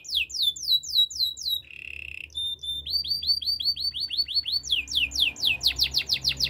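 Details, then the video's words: Training song of a canary: quick descending whistled notes, a short low buzzy trill, then long runs of rising and falling repeated notes. "Bird sounds canary chirping | The best canary training"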